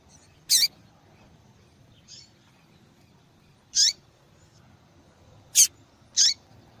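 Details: Female double-collared seedeater calling often, a sound meant to attract males and wake their song; five high, brief chip notes, one faint, irregularly spaced, with a closing pair less than a second apart.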